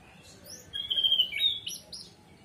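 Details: Orange-headed thrush song, played as a lure to coax a silent bird into singing: a loud burst of clear, high whistled notes with quick slurred and chirping phrases packed into about one second, over a soft low hum.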